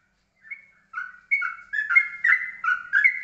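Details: Yellow-vented bulbul singing in the ropelan style, described as steady and calm: a run of short bubbly whistled phrases, rising and falling, coming faster and louder after a hesitant start, with no other sounds.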